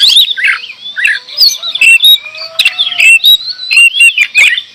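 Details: Gacor door singing by an oriental magpie-robin: bright, sliding whistles and scratchy chatter in quick succession, punctuated by sharp clicking notes, with a faint low whistle in the background.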